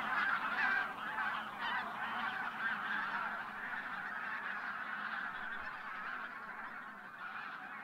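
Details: A flock of over a thousand wild geese, bean and white-fronted geese wintering from Siberian breeding grounds, taking off before sunrise at Teichland Linum, Brandenburg, in winter: a dense, continuous roar of overlapping nasal honks and cackles, steady and unbroken throughout.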